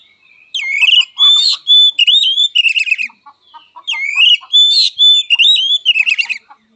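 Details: Oriental magpie-robin singing a fighting song: two loud bursts of varied swooping whistles and buzzy rattles, each about two seconds long, with faint low clicking notes underneath.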